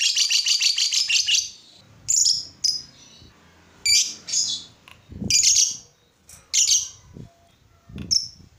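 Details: Lovebird song meant to get other lovebirds singing: a quick chattering burst at the start, then separate sharp high chirps spaced irregularly, with faint low thumps beneath.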